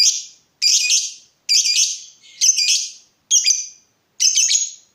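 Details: Lovebird from a lure and training recording: harsh, buzzy high squawks repeated about once a second, each a short rough burst with a ragged edge.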